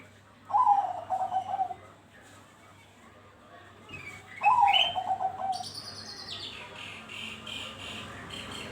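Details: Bangkok zebra dove, perkutut, as a lure to spur singing: two soft trilled cooing phrases several seconds apart, each opening with a higher note then wavering lower; later higher chirping of other birds overlaps, low hum throughout.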